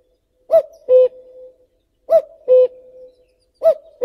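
A common cuckoo repeats its mellow two-note 'cu-coo', the second note lower, three times at roughly one-and-a-half-second intervals against a quiet background.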